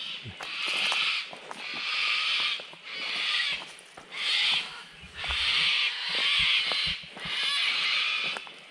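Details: Cockatoos, just woken and apparently unhappy at a passing walker, give harsh, raspy screeches under a second long, about once a second, over faint footsteps, on a wet, cloudy Hogan Track in Lerderderg State Park, with a kookaburra starting up nearby.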